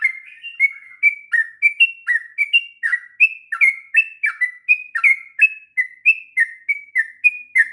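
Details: Sooty-headed bulbul delivering a long 'ngropel' song for training young birds: a busy, unbroken chain of short whistles at similar pitch, flat and down-slurred notes alternating quickly, with nothing else audible.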